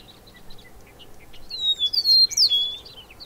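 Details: Bobolink delivering a loud, bubbling, robotic-sounding song of rapid tinkling notes with twanging slides sweeping up and down, rising from quiet chirps to a bright climax.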